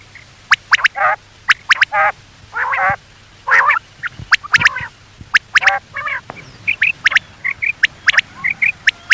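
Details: Quail calls used by hunters at night, as heard in Pakistan: sharp, clipped notes often in quick pairs or triplets, mixed with nasal, buzzy harmonic notes, several birds overlapping with an irregular rhythm.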